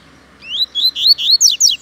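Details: Double-collared seedeater (coleiro) singing a loud, clear phrase of five or six whistled notes. Each note is slurred upward, then the final notes sweep steeply downward. The background is quiet.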